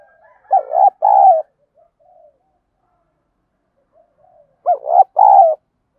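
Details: Giọng đồng style song of a spotted dove, meant to provoke fighting and quick cooing in decoy birds; two strong phrases about four seconds apart, stuttered opening notes then a sustained descending coo, faint soft notes in the gap.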